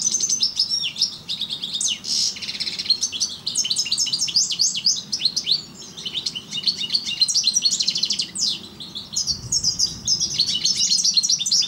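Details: European goldfinch, parva form, in a continuous high twittering song of quick chirps and liquid trills, with a faint low hum behind it.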